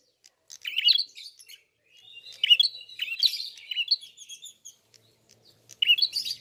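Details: Red-fronted prinia in full song: high chirps and thin flat whistles forming a rambling twittering phrase, with a burst of chirps at the end.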